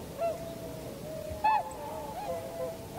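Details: Winter flock of tundra swans, 7 February 2015, landing and flying, captured with a compact camera and external microphone. Soft, wavering calls come from a distance, then one louder, ringing bugle near the middle, over steady background hiss.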